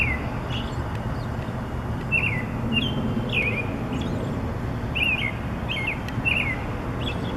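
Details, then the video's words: Morning song from a bird on a wire: bright, slurred whistled notes in quick groups, clustered into a few bursts, with a constant low hum of background noise. "Bird Singing in the Morning"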